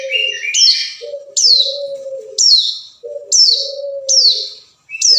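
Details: Hill prinia calling to a rival, used as a lure: a series of bright, high notes that slide steeply down, given roughly once a second, alternating with a long, low, level tone.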